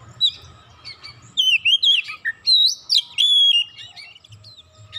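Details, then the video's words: Emotional Oriental magpie-robin, set off by a single provocation, delivering its stock of phrases: a run of loud looping whistles and chirps, then a long steady whistle, fading to quiet with low hum. "Kacer sekali pancing langsung emosi bongkar isian"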